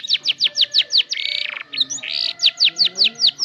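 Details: Canary starting to learn its song, recorded as a lure: rapid falling whistled notes, then a rattling buzzy passage and a short harsh phrase, before the falling notes resume.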